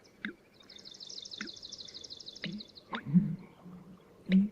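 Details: American Bittern pumperlunk call, deep low gulping notes near the end, while a swamp sparrow sings a lazy, laid-back trill in the background through the first three seconds.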